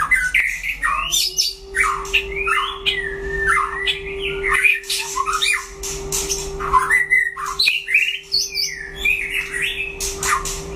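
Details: White-rumped shama singing in a duel with a rival: loud, varied whistled phrases, sliding up and down, with harsh squawky notes between. A steady low electrical hum runs underneath throughout.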